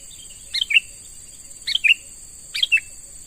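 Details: A young sooty-headed bulbul, caught wild and beginning lure training, repeats a clear bubbly three-note chirp about once a second, three times in a row. A steady high-pitched insect drone continues in the background.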